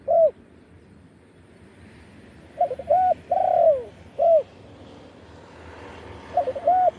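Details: Wild spotted dove in Thailand crowing in the 'khan yon' style. Soft, separate coos are spaced over several seconds: a single coo, a cluster of three including a long falling one, then another, and a last pair.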